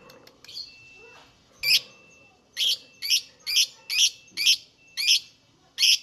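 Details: Lovebird song used as a lure for other lovebirds: loud, high chirps repeated about every half second, with a low background murmur.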